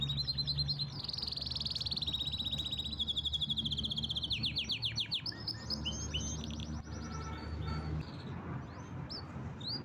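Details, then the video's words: A canary delivers a powerful song of rolling trills, each tour of fast repeated notes changing pitch and speed, some pulsing, others in dense rapid series, with soft low hum in the background. "Canary's most powerful song"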